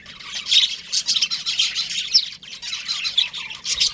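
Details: Budgies chirping in a steady chattering stream of high, scratchy warbles and short tweets, with brief louder peaks around the half-second mark and near the end; no other clear sounds.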